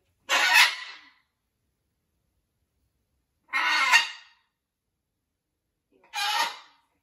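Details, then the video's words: At a parrot rescue, a blue-and-gold macaw adjusting to a new flock gives three loud, grating squawks, each under a second long and spaced roughly three seconds apart, with silence between. "Blue & Gold Macaw is adapting to his new flock. Lots of parrot talking."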